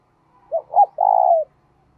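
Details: Decoy spotted dove cooing to lure wild doves: two short rounded coos followed by a long, purring, slightly falling coo, clean and close with no other sounds.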